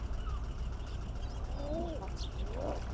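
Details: Common eiders mating in early spring: two drawn-out, soft cooing calls that swoop up then down, the second higher and ending in a rising slur, half-buried under a steady low rumble of background noise.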